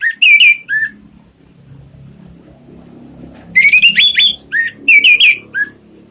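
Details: Song of an orange-headed thrush played as a lure for caged birds: sweet whistled phrases with rising and falling slurs, chattering notes and a lower whistle, over a soft background hum.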